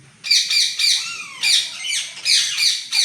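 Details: A green parrot kept at home in Mangalore, recorded on 17 August 2025 in cool weather, gives rapid shrill squawks, one clear descending whistle partway through, then further harsh screeches in quick succession.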